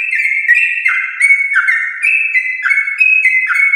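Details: Long, continuous song of a champion-line yellow-vented bulbul: bright whistled phrases that slide downward and reset higher, about three per second, loud and clean with no other sounds.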